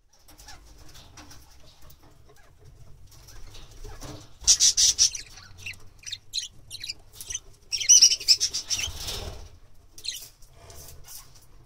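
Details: Budgerigar (Melopsittacus undulatus), courtship chatter: courtship before mating.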